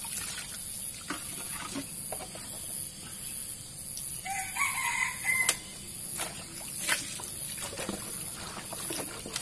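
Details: Sumatran junglefowl kept in an enclosure while its food and water containers are cleaned with antibacterial floor cleaner; one short, harmonic, drawn-out crowing call midway, over steady scrubbing, clattering and splashing.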